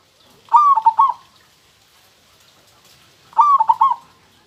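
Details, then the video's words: A local zebra dove (perkutut) sings two clear phrases about three seconds apart, each a whistled upward coo then a short rolling run of coos, over quiet background. "suara perkutut lokal super kristal"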